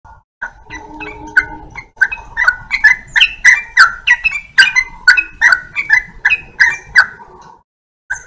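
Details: Yellow-vented bulbul singing a lively run of short, bubbly chirps, closely spaced and fairly uneven, about three notes a second, opening with a brief steady low tone.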